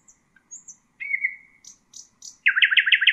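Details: Nightingale song for teaching young birds: thin high whistles, a long steady whistled note, three short bright notes, then a loud fast run of repeated throaty notes at the end.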